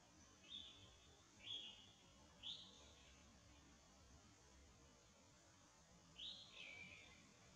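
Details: Warbling (Japanese) white-eye at Zhongshan spillway, 25 December 2019, giving four thin, high 'tsee' notes spaced about a second apart, the last sliding downward, over a low background hum.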